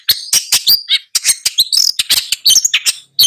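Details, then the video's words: Long-tailed shrike producing a dense, continuous scratchy chatter of rapid harsh notes interwoven with squeaky whistled fragments. "Long-tailed Shrike Bird Song, Sound, Call, Chirp, Melody"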